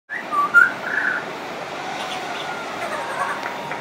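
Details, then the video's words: A friendly pied butcherbird singing on and on, its song said to include mimicry: a few clear fluted whistles in the first second, one sliding upward, before the song fades into faint background hiss. "Pied Butcherbird wouldn't shut up"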